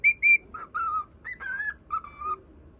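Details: Cockatiel whistling to a budgerigar: two high clear notes, then longer slurred whistles wavering at a lower pitch, a short rising note and a final drawn-out lower whistle.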